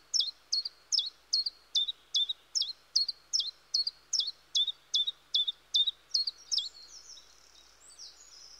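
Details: Repetitive chiffchaff song of high, clipped notes that drop in pitch, delivered at an even pace of roughly two to three per second for over six seconds, then fading into softer, scattered high twittering.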